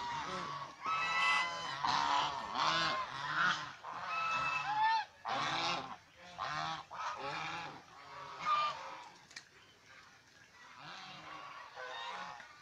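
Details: Domestic swan goose, also called Chinese swan goose, kept as a pet and filmed playing, bathing, resting and fighting; harsh nasal honks with bright harmonics come in bursts about once a second, some overlapping, fading to softer calls near the end.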